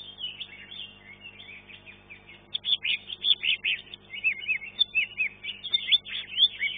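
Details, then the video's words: Caged green leafbird singing at a bird-singing contest in Indonesia, placing third: continuous rapid varied warbling and chattering phrases, growing louder after a couple of seconds, over a steady low hum. "C IJO RAMPOK"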